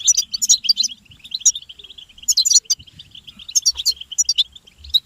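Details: European goldfinch group twitter meant to rouse a male into song; a steady run of thin high chirps punctuated every second or so by brighter, louder tinkling bursts.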